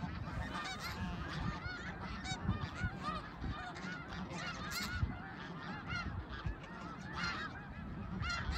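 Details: Thousands of voices blend as snow geese call at Middle Creek in 2022, a busy, even chatter of short honks and yelps running throughout, sharper single calls standing out now and then.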